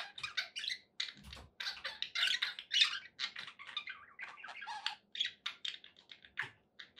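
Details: Happy pet budgerigars giving a fast, continuous run of harsh squawks, clicks and warbled chirps, loud bursts crowding one after another with barely a gap.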